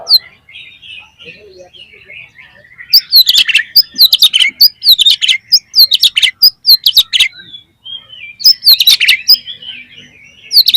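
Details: Loud, continuous Oriental magpie-robin lure song to set other magpie-robins singing: varied sharp whistles, rising and falling sweeps and rattling clicks in long phrases, with softer twittering between bursts.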